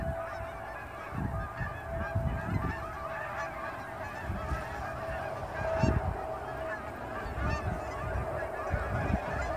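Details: Canada geese in fall, hundreds heading from ponds to grain fields to feed just after sunrise near Dawson Creek airport; a steady babble of distant honks with a faint steady tone and low wind noise.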